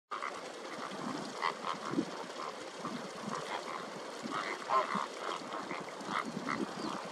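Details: Greater flamingos in a flock give a steady, overlapping babble of nasal, goose-like honks and grunts, with no pause across the whole stretch.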